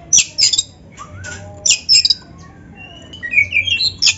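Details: Oriental magpie-robin song for training other birds to sing: loud harsh rasping notes about once a second, with a soft slurred whistle between them and a short rising whistled phrase near the end.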